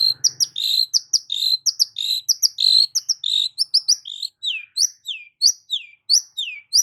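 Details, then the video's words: Long-tailed shrike song used to prompt a silent shrike: rapid run of sharp chirps and squeaky notes, shifting after four seconds into clear descending slurred whistles repeated about once a second, quiet background. "CENDET MACET COBA PANCING DENGAR KICAU EFEKTIF SUPER LANTR BONGKR ISIAN INI DIJAMIN NYAUT"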